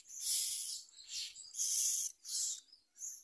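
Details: Myna nestling taking a large blue caterpillar from its parent, uttering loud, breathy, hissing screeches in four drawn-out bursts, each about half a second long.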